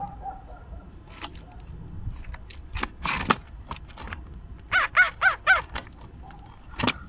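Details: A blue jay at a bird feeder gives a quick run of four harsh, nasal notes about a quarter-second apart, after scattered clattering knocks and rustles, possibly mimicking another animal; Blue Jay.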